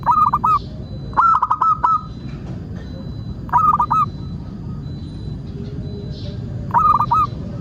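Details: Perkutut, the local zebra dove, singing as a lure to make birds call: repeated short rolling coo phrases ending in held tones, a few seconds apart, with faint low background noise.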